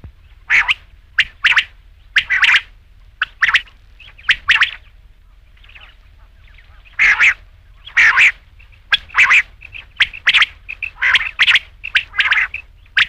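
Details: Rain quail call used for night-time hunting: rasping bursts, often in pairs, come in irregular runs with a short lull near the middle, each burst hoarse and metallic, with nothing else audible.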